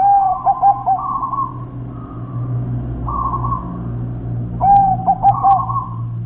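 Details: Local wild zebra dove singing a series of rolling, stuttering coos mixed with longer smooth purring notes, the phrase repeating after a pause, against a low rumbling background.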